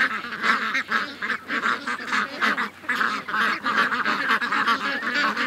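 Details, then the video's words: Ducks and geese, a flock of over 700, heading to the lake in the morning on August 6th, 2015: loud honking and quacking in pulsing bursts roughly once a second, voices piling over one another. "700+ Ducks & Geese Morning Rush"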